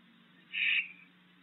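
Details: Barn owl (Tyto alba) at its nest box at night gives a single short, harsh, hissing screech, about a third of a second, over a faint low hum, showing disapproval of a young intruding owlet; November 2020.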